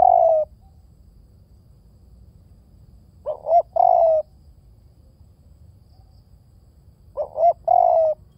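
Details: Repeated coos of a spotted dove. After the tail of one coo, two complete phrases follow about four seconds apart, each a brief rising coo leading into a drawn-out, gently falling coo.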